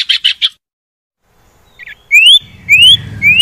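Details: Common iora sounds used as lure audio for reluctant caged birds: three short buzzy notes, a pause, then rising whistled sweeps repeated about every half second over low hum.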